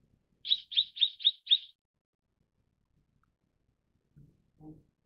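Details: Five sharp, high chirps from a Mrs. Gould's sunbird in quick succession, followed by silence and two faint low thuds.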